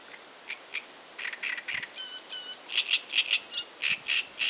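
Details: A great reed warbler (Acrocephalus arundinaceus) sings a loud, grating run of harsh, croaking notes, about four per second, broken by a couple of clearer, ringing whistles.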